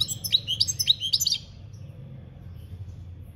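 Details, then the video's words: European goldfinch singing in the campero (field) style, recorded in 2021: a quick burst of bright, liquid twittering notes with fast upward and downward slides lasting about one and a half seconds, followed by quiet with low background hum. "Goldfinch singing - Jilguero Cantando Campero - Chant Chardonneret"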